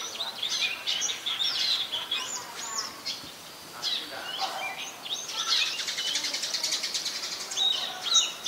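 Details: Chestnut-headed bee-eater (Merops leschenaulti), adult, gives bright rolling trills and sharp chirps in quick bursts, with other high chirping mixed in; Ubon Ratchathani, Thailand, 13 February 2021.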